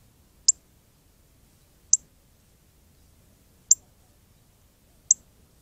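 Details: A very red northern cardinal chirping while bathing in the Arizona desert: four short, sharp, high chip notes, spaced roughly one and a half to two seconds apart, against a quiet background.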